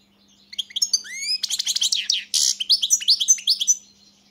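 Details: European goldfinch singing a single energetic phrase: upslurred whistles leading into rapid, jangling twitters and a brief buzzy note, then more liquid chirps, over a faint low hum.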